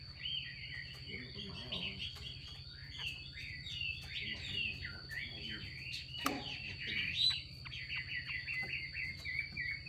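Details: Chinese hwamei, a female, giving a 'xùy' call to excite males into song: busy, looping, slurred notes in a steady stream, one sharp click midway, with faint low voices and a steady high tone behind.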